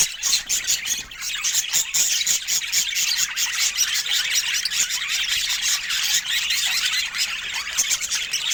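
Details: Chattering budgerigars fill the air with rapid, closely spaced chirps and scratchy squawks, a dense warbling chorus broken by brief clicks and sharper peeps.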